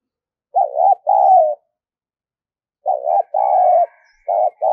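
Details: Spotted dove used as a lure bird, cooing persistently: three two-part coo phrases, each a warbling short note then a longer level one, roughly every two seconds, the last cut short.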